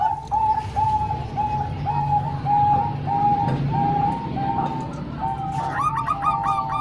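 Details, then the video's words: Zebra dove song, a mix of Bangkok-type and local birds used for training young birds: a steady string of clear cooing notes, then a quicker burst of higher, richer coos near the end, over low hum. "Kombinasi 3 Suara Perkutut Bangkok Dan 1 Lokal|Untuk Melatih Perkutut Bahan"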